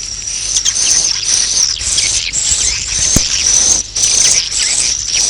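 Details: Swiftlets' roosting call for luring birds to roost: a high, thin, buzzing whistle held with short breaks, overlaid by quick twittering chirps and one sharp click.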